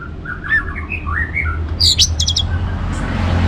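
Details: Orange-headed thrush song meant to stimulate other birds: a mellow warbling phrase of rising and falling whistles, followed by a few sharp high ticking notes, with low-frequency background noise.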